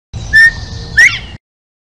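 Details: A Northern bobwhite gives a clear two-part whistle, a level first note and then a louder, sharply rising second note, the familiar bob-WHITE, over a soft low rumble.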